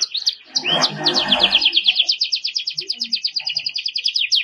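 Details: Belgian canary delivering energetic song meant for tutoring young birds: after a brief low noisy burst at the start, a steady, rapid trill of repeated high downward notes runs to the end.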